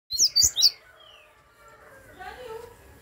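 A Double-collared seedeater gives three sharp, very high chirps in quick succession, then a thin falling whistle and softer trailing notes.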